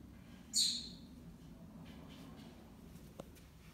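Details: A pet monk (Quaker) parakeet indoors, one that has torn up a window blind, gives one loud, harsh, high screech, followed by quiet room noise.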